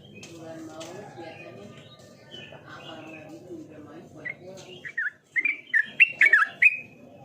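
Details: A trucukan, the yellow-vented bulbul, singing energetically. Murmuring, voice-like sounds come first. The bird then breaks in with a loud cluster of sharp, bubbling whistled notes, rising and falling quickly near the end.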